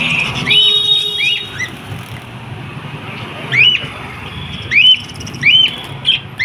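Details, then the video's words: Lovebird giving short, sharp, high chirps in quick bursts of two or three, with brief pauses, over faint background hum. "Natural Sounds Of Love Birds"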